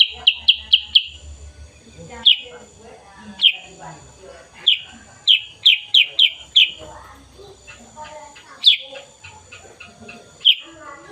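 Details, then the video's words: Sooty-headed bulbul, black and yellow, singing in the morning on 16 September 2021: sharp, loud downslurred notes, some in quick runs of four or five, others single and spaced a second or more apart, over soft low murmuring. "Kicauan Burung Kutilang Sutra"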